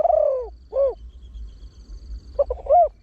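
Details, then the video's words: Trained Spotted Dove with a deep voice, used as a lure to draw wild birds. It sings in the fast 'khan yon 1 kuk' style. A long falling coo and a short coo are followed by quick stuttered notes and an arched coo. Faint low hum underneath. "เสียงนกเขาใหญ่ 3 (เสียงใหญ่) ขันโยน 1 กุ๊ก ขันถี่ นกป่าเข้าร่วมเร็ว"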